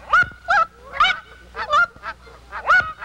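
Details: Canada geese calling over decoys during a Missouri goose hunt, a rapid run of five or six loud nasal honks, each with a quick upward break in pitch, spaced roughly half a second apart.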